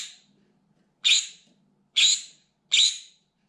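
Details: Loud, desperate screaming from a pet green-cheeked conure reacting to things outside its window: a fading shriek, then three harsh, strident screeches roughly a second apart, each abrupt and rasping, with a faint low hum behind.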